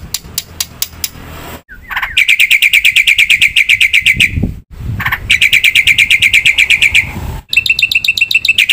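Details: Black-winged myna in lively fill-in song meant to agitate other mynas: fast, steady trills of sharp chirps repeated many times a second, separated by sudden silent cuts, with a few clicking notes at the start.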